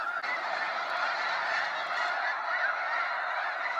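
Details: Massed snow geese leaving Sacramento National Wildlife Refuge at sunset, a steady roar of high, nasal honking from countless birds calling at once, even in loudness throughout.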